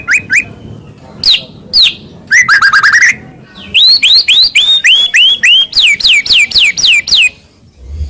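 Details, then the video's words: White-rumped shama (murai) song played to get other shamas singing: scattered chips, a fast rising trill, then a long series of sweeping upslurred whistles repeated about three per second. "masteran burung murai mewah"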